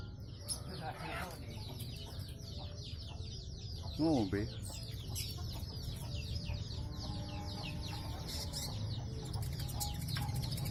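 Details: Caged brown-breasted sunbird in full, busy song: a continuous stream of quick, high, curling chirps and twitters, with a brief lower warbling note midway, all over constant low background hum.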